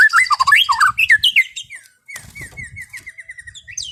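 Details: White-rumped shama in relaxed afternoon song meant to soothe an over-excited bird: fast varied warbling and swooping notes, then a steady series of short whistled notes about five per second.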